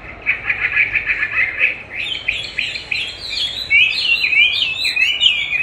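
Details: Chinese hwamei trained with a recording of its own voice: opens with a fast even series of repeated notes, then shifts into loud looping whistled slurs and chirps.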